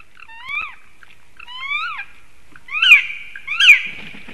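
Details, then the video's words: Black woodpeckers at a black stork nest in Sigulda, Latvia, at 9:55 am on 30 March 2021, possibly defending territory as a third bird joins two: four plaintive, mewing calls a second apart, rising then falling, the last two louder and harsher. "Three black woodpecker - struggle about the territory?"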